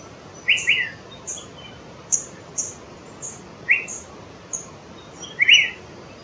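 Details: Asian fairy-bluebird in India giving sharp, liquid two-note "glue-it" calls in short bursts, with thin high chips from other small birds scattered throughout.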